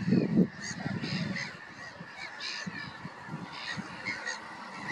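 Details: Black-headed gulls giving rasping, nasal cries in a steady overlapping flow, with a short burst of low thumping at the start and a soft low rumble afterwards.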